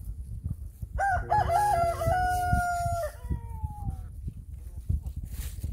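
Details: A rooster with a drooping comb and glossy feathers crows once, a loud harmonic call with a stepped opening that holds level, then trails off into a falling tail, over low background rumble.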